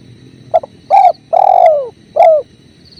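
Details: Training recording of a spotted dove beside running water: a quick double note, then three mellow coos, the middle one long and curving down, the last short and falling, against a continuous river hiss.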